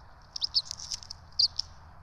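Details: Brief burst of begging from bald eagle twin chicks during a feeding at the Johnson City nest cam, 12 March 2024: a handful of rapid, high, squeaky chips in two small clusters.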